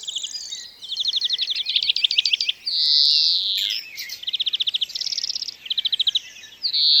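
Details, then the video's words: A European greenfinch recorded in the wild gives fast, high twittering trills in short bursts, broken midway by a long, drawn-out nasal wheeze call. "European Greenfinch Sound – Song & Bird Calls"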